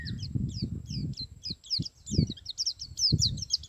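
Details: Male white-eye (pleci) giving ngalas and nembak style song: rapid, high, sharply falling chirps that grow denser toward the end, over low rumbling background noise.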